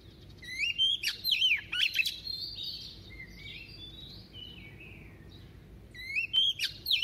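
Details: White-rumped shama female, a decoy singing a double-voiced song to excite males: rich, rapid bursts of sharp rising and falling whistles, a softer middle stretch of gliding notes, then another loud burst.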